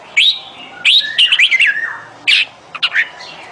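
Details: On 28 May 2021 a bulbul calls for a mate with loud, liquid whistled phrases. Notes rise and then slur down, with a burst of rapid warbling, a harsh chirp and a couple of quick notes at the end.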